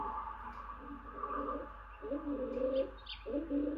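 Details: Stock dove, presumably male, on a tawny owl nest box where the hen owl incubates, calling incessantly in late April: low double-toned coos in phrases about a second long, with soft rustling.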